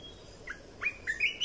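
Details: Red-whiskered bulbul training song: a short upward whistle, then two rising, lilting notes that climb higher at the end.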